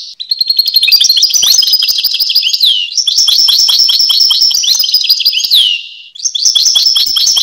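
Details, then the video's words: European goldfinch (Carduelis carduelis) singing: a rapid, continuous stream of high tinkling, twittering notes with buzzy trills, delivered in long phrases broken by short pauses near three and six seconds; loud and close, with no other sounds. "Goldfinch (Carduelis Carduelis) Songs"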